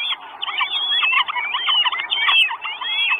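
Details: Four Northern goshawk chicks calling for food at a nest in Estonia, 1 June 2022, on a live nest camera: dense overlapping shrill, squealing whistles with rising and falling inflections, a constant chorus.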